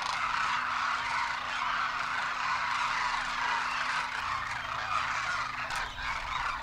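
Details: A large migratory winter flock of demoiselle cranes at a waterhole in Kheechan village, Rajasthan, calls over and over while foraging, a dense wash of rolling, croaking trumpets blending into a steady babble.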